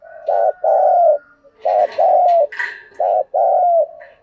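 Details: Spotted dove decoy bird in the thổ voice style delivers three paired coos, a short note then a longer falling coo, as prodding and calling coos, with a brief scratchy higher chirping sound between the second and third phrases.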